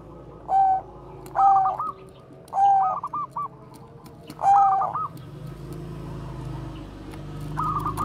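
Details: Bangkok zebra dove with bekur koar-koar song, a lure for training doves: four evenly spaced phrases, each a whistled note running into a stuttered triple coo, then quieter with a faint final phrase and low background rumble.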